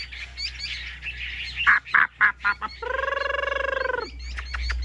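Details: A caged Chinese hwamei gives high chattering notes and several loud, sharp clipped calls, followed by a sustained buzzy, rich-toned drone lasting about a second before the chatter resumes.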